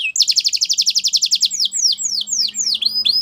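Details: Belgian canary singing, used for song training: a fast rapid trill of bright chirps around 1.4 seconds, then a slower series of sweeping whistled notes dropping in pitch, each repeated about every third of a second.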